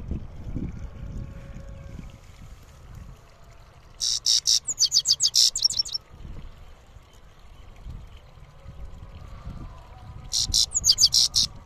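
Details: Goldfinch singing in the rolling rizdar style: two bursts of very high, rapid, tinkling trills, the first about two seconds long and the second about one second. Steady low background noise continues throughout.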